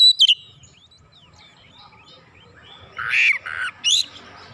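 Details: Oriental magpie-robin replying eagerly with isian phrases: a quick sharp whistled flourish, a long near-silent gap with faint notes, then three loud harsh rasping bursts close together.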